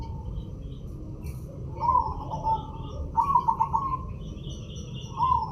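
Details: White, red-eyed zebra dove singing actively, giving three trilled, bubbling coo phrases in quick succession, the middle one longest, against constant low rumbling background noise.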